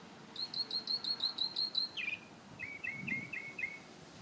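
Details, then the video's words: Morning song of an unidentified bird that reportedly wakes people every day: a fast run of high, even chirps, then a dropping note and a slower series of lower, paired whistled chirps, clear above faint background rumble. "Amazing Bird sings 25 different sounds"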